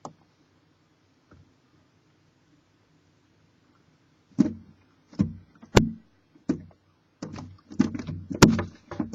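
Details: Near silence broken by scattered wooden knocks, thumps and scrapes inside an owl box, growing busier toward the end, with no calls.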